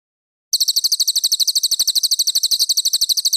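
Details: ['Cililin master song used to teach competition birds: following half a second of quiet, rapid, crisp, high chirps start abruptly and run on in a close, regular series.']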